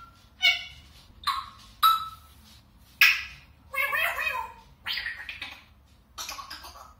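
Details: Indoor African grey parrot talking in imitation of Lithuanian speech: a string of short, speech-like syllables and phrases, some nasal, some breathy or raspy, separated by brief pauses.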